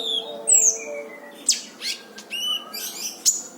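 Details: Brown-throated sunbird singing for a recording meant to train other birds, with a high descending whistle, sharp clicks and buzzy stacked notes in uneven bursts over a low continuous hum.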